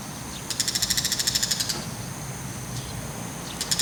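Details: Bull-headed shrike carrying a mantis in its beak, calling while glancing around; a fast harsh chatter of about fifteen notes, then a brief pause, a faint note and the start of another chatter.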